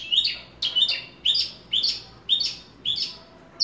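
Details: Horsfield's bush lark, ringed and kept by a hobbyist, repeats a bright slurred high phrase about every half second in a steady, lively series.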